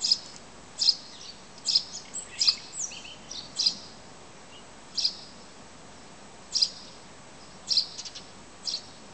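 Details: Bird twittering heard through a window at 5 a.m. in Zarinsk, early summer morning: sharp, high, clipped chirps spaced about a second apart, with a few softer notes between them against low, even background hiss.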